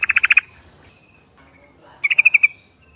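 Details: Yellow-vented Bulbul calling as a lure for an answering flock: a loud burst of five quick pulses, a pause, then a softer rattling trill of six notes.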